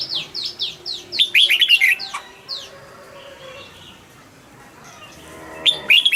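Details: Red-whiskered bulbul kept as a cage bird gives a rich, rollicking phrase of rapid warbled notes midway, then another short burst at the end, over a run of thin descending whistles and a quiet stretch.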